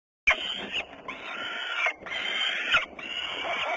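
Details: Sunday afternoon recording of peregrine falcons in Włocławec, Poland, 6 June 2010: loud, hoarse wailing calls, each close to a second long, repeated four times with short pauses.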